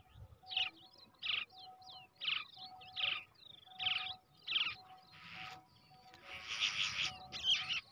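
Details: Young brown shrike hatched and reared by hand, producing short scratchy chirps roughly every second, with thin curving whistles between them and a longer noisy rasping stretch near the end.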